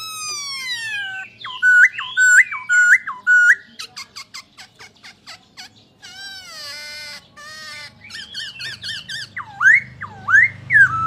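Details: Poksay Hongkong, the masked laughingthrush, sings falling whistles, then four level whistled notes with sharp upturns, clipped chatter, a buzzy descending phrase and loud dipping slurred whistles at the end; faint low hum below.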